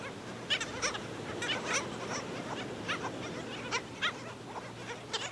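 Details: Black Skimmers at St. Pete Beach, Florida, where skimmers were killing a chick, give short, nasal, dog-like yapping calls, repeated irregularly about twice a second, over a low steady hum and background noise.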